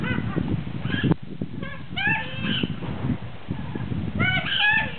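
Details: Rescued cockatoo at a wildlife rescue center in North Sulawesi, Indonesia, laughing out loud. Bursts of rough, harmonic notes repeat in short runs over a steady low rumble of background noise.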